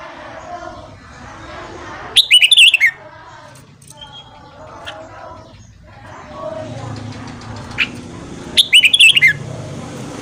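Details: Red-whiskered bulbul singing in the morning as voice training for newly caught bulbuls: two bright, fast warbled phrases about six seconds apart, each with quick falling notes, against continuous background murmur and noise.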